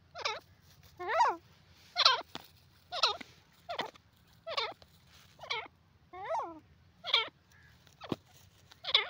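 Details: Francolin (teetar) calling steadily, with roughly a dozen rasping notes spread over nine seconds. Some notes are stacked, wavering and descending, and a faint low hum runs underneath throughout.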